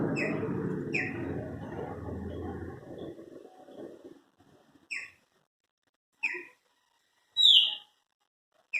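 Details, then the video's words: Song of kept Chopi blackbirds: after about three seconds of low rumbling noise, clear whistled notes sound at intervals of roughly a second, ending with a brighter, higher rising note. "Cantos, meus pássaros preto"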